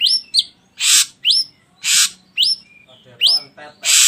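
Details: Ashy drongo song played as a lure to get other birds singing: sharp rising whistled notes with a bright upper harmonic, alternating with loud harsh rasping bursts, about seven sounds in four seconds.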